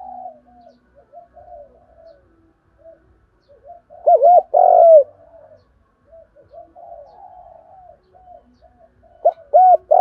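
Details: Spotted dove coo used to lure and provoke wild doves, soft low murmuring notes broken by two loud bursts of a hoarse double-noted coo, around four and nine seconds.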